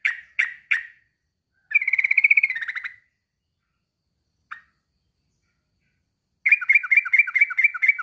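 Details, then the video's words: Male sooty-headed bulbul calling a rival: three harsh chirps, a buzzy trilled phrase, a lone note, then a rapid run of bright, bouncing downslurred whistles. "kicau suara trucukan jantan memanggil lawan"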